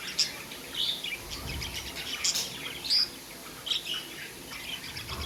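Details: Budgies kept as pets give quick high chirps and squeaky notes, some rising and some falling, in uneven bursts with short pauses between them over soft room noise.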